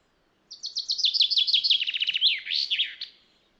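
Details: Common chaffinch recorded in the wild: a cascading song of about a dozen quick, clipped notes falling in pitch, then a louder, tumbling terminal flourish, the whole phrase lasting roughly two and a half seconds.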